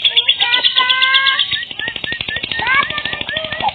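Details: Lovebird lure call for attracting other lovebirds: piercing rapid chatter at first, then a steady series of dry clicks with short upslurred chirps.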